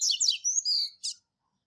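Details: Double-collared seedeater master bird, classic Tui Tui Zel Zel song for teaching young birds: the tail end of a phrase with fast descending sweeps, a sustained high whistle and a final short buzzy note.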